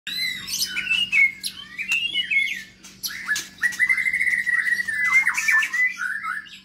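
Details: Long-tailed Medan white-rumped shama, newly acquired, singing in an exercise cage: loud, rich whistled phrases sliding and warbling, with sharp clicks and ticks between them and a steady low hum behind.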